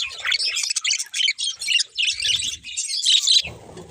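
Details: Pair of budgerigars giving bursts of high scratchy chirps and warbles separated by short pauses, ending in quieter chatter over low background noise.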